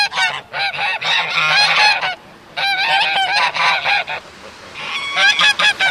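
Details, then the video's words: Geese on water honk in loud, nasal bursts, several calling together in ragged runs with short pauses between them. "The sound of geese"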